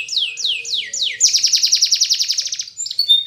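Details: Powerful Spanish Timbrado canary training song: four slow falling slurred notes, then a quick rhythmic pulsed trill, closing on a thin high whistle.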